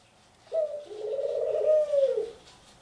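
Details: Ringneck dove, a pet bird indoors, giving one drawn-out coo about two seconds long: a sharp start, then a low, steady rolling tone that trails downward at the end, in a quiet small room.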